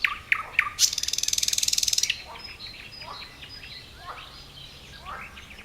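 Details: Khoroshevo, 29 May 2011: a common nightingale gives a few sharp clicks, then a loud, very fast, dry rattling trill lasting over a second, followed by faint distant chirps and twitters from other birds.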